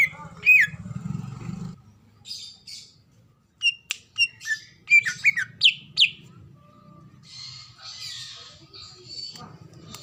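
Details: A female greater green leafbird calls to attract a male, a recording for luring other leafbirds: one whistle, then a cluster of sharp, rising-and-falling chirps midway, with low hum and soft hiss around them.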